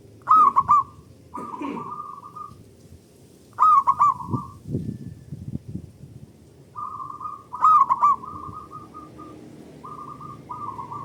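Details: Zebra doves of a local strain singing in answer to one another, loud and drawn out, as a lure to set other doves singing. Bright clipped opening notes run into purring coo rolls in spaced bursts, with low knocking noises between.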